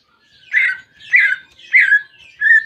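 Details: Greater green leafbird, kept as a pet, heard in a therapy recording meant to get a silent bird singing: three loud warbled phrases sliding around mid pitch, then a short whistled note, spaced about half a second apart.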